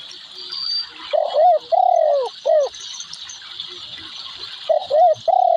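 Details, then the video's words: Spotted dove cooing low and mellow, two phrases each of a short rising coo, a longer drawn-out coo and a closing short note, separated by a pause of about three seconds, over a steady high-pitched buzzing hiss in the background. "Suara Burung Tekukur / Derkuku"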